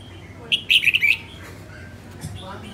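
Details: Red-whiskered bulbul hen, a northern-type bird in song training, delivers a quick burst of five or six rising and falling whistled notes lasting under a second against a quiet background.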